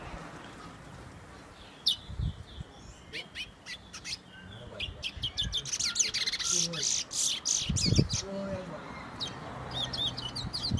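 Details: Towa towa, or chestnut-bellied seed finch, from Guyana whistling its song: bursts of high, rapid notes that build into a denser run in the second half, with low background noise and a few faint low sounds.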